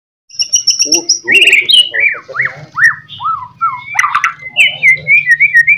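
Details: Caged white-rumped shama singing a master song meant to make other shamas answer: a run of loud whistled notes, some rising and some falling, with buzzy and chattering phrases between them, over a low steady hum.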